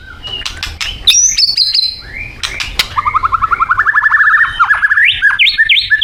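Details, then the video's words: White-rumped shama from Thailand in full song: high whistles and clicks, then a fast trilled run of repeated notes rising in pitch, ending in looping whistled phrases. "Murai Batu Thailand bikin ngeri isiannya"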